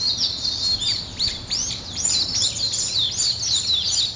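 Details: Birds singing in the morning: sharp high chirps and downward-sweeping whistled notes repeated in quick bursts, several birds overlapping, over a faint low hum.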